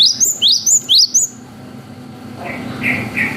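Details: Cinereous tit (gelatik batu) singing 'wucit' phrases, used as a lure to make young birds respond. Five bright, sharply rising whistled notes come quickly, then soft distant chirps follow.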